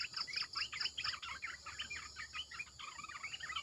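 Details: Decoy calling of a Red-eyed bulbul to lure others in: loud, fast chattering phrases of bubbly, slurred notes running without pause, with pulsing insect trills high above.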